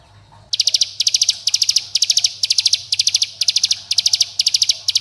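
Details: Mountain bar-winged prinia calling to companions and provoking rivals, used to prompt young birds to sing: after a brief quiet start, high buzzy bursts of about six rapid clicking notes repeat roughly twice a second over a faint low hum.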